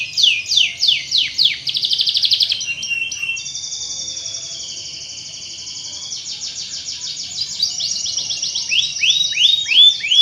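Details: Canary singing to stimulate other canaries, opening with repeated swooping notes and a fast trill, then a long sustained steady warbling tone before returning to rapid rolling trills and chirps.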